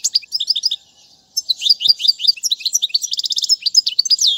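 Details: Song of a European goldfinch, described as royal goldfinch song for teaching young birds; a short pause, then lively high twittering with quick repeated notes, buzzy trills and rising whistles, densely packed.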